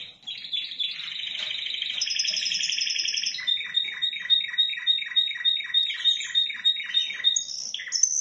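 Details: Spanish timbrado canary from Indonesia singing loud, high song: a fast trilled roll, then a steady tone with evenly repeated descending notes about three per second, ending in high whistled notes.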